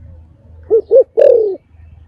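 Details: Spotted dove coos in a three-part phrase: two short rounded notes followed by a longer falling note. A steady low hum runs underneath.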